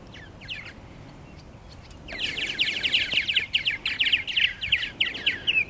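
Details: Purple martins at their nesting gourds at Lake Mackintosh, Gibsonville, North Carolina. After two quiet seconds, a dense run of quick, chattering, gurgling chirps starts and keeps going, with several birds overlapping.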